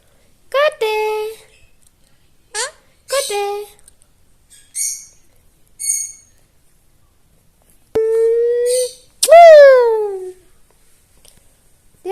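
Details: Pet talking parrot (tota) voicing clipped, nasal, word-like utterances and a few drawn-out sliding notes, delivered in bursts with silent gaps between them, with no other sounds nearby.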